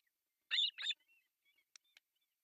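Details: On an osprey nest in Pohjois Satakunta, Finland, with three chicks being fed breakfast on July 1, 2024, two quick loud grating notes are followed by faint whistles and two soft clicks.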